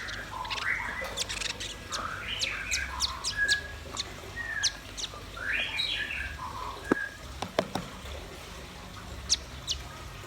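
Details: Red-billed nuthatch and white-rumped shama singing: varied mid-pitched whistled phrases mixed with scattered high ticks and chirps, fairly soft overall.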